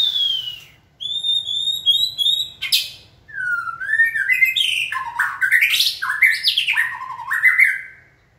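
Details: White-rumped shama in song training, prompted to sing: a long rich phrase of clear whistled notes, then rapid tumbling, sliding and buzzy notes jumping between low and very high pitches, loud and continuous.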